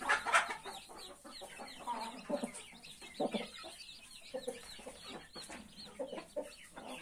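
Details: Brood of 31 newly hatched chicks with their mother hen: a sharp loud note at the start, then scattered low clucks and constant thin chick peeping.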